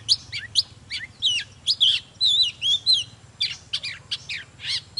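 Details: Oriental magpie-robin in full song with display, giving rapid slurred whistles and warbled phrases, some wavering notes in the middle, with a low constant hum underneath.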